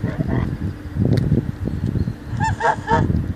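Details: Geese calling on a Wednesday morning: a quick run of three nasal, harmonic honks near the end, over a steady low rumble of wind and distant traffic.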